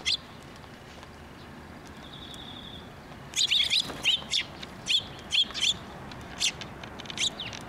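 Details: Sparrows at a Tenmangu shrine, 9 October 2023, approaching to get food: after a quiet start with a brief thin tone, a run of bright, clipped high chirps repeats irregularly for four seconds.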